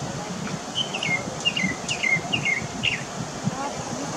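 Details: Mockingbird singing at Varadero, Cuba, in September 2023; repeated clear whistled phrases that slur downward, about five in four seconds, over low rumbling background noise.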